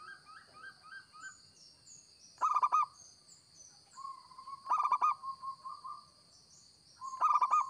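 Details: A vigorously singing local zebra dove, recorded as a lure, gives three loud bursts of rapid rolling coos about two seconds apart, with softer trailing coos, faint high chirps and a steady thin whine.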